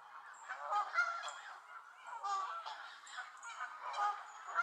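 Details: Angry Canada geese in a gaggle at Elvaston Castle, dated 3-10-15: several nasal, harmonic honks, some rising at the end, come in loose bursts with short pauses between them.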